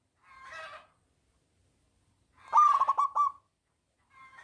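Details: Local zebra dove with a loud voice, singing to draw other doves into song: a soft hoarse note, then one strong stuttering, pulsed coo phrase, with another soft note starting at the end.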